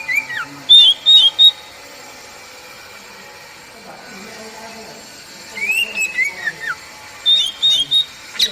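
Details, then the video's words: Oriental magpie-robin (kacer) song for prompting caged birds: clipped whistled phrases with high chips and a descending slur, separated by several seconds of faint hiss. "Masteran kacer bahan biar bunyi nyaut langsung on"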